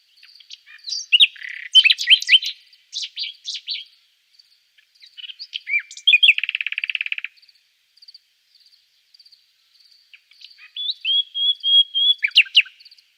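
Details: Nightingale singing a varied, virtuosic phrase: dense scratchy chattering bursts, a loud rapid rattling trill about a second long, a pause with faint ticks, then a run of sharp repeated notes and a high whistle.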